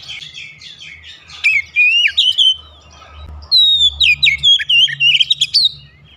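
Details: Oriental magpie-robin singing two long runs of rich, varied whistles and sharp chirps with a brief gap between, over a steady low hum, used to coax a reluctant bird into song.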